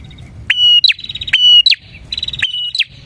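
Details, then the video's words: Bar-winged prinia singing energetically as a lure for prinias: three bright phrases, each a sudden rising onset held as a thin, steady whistle and closed by a short upward chirp, with soft twittering between. "suara burung prenjak gacor ini 💯% ampuh untuk pikat prenjak dan pancingan prenjak"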